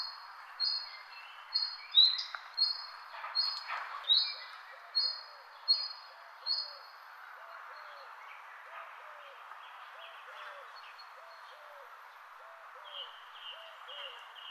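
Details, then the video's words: A run of high, clipped chirps comes quickly in the first half, about a dozen of them. After that, softer low hooked notes repeat steadily beneath scattered distant twitters. "Birds chirping sound"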